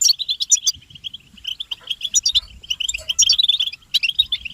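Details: European goldfinches calling together in betbeta, mating calls said to push males out of silence into singing. Rapid, thin, metallic twitters run in uneven bursts with short gaps between clusters.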